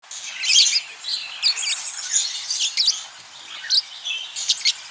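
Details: Pet budgerigars during courtship and mate-finding: a bright, scratchy warble of quick chirps and squeaky notes, with dense bursts near the start and sharp clicks later, over a quiet background.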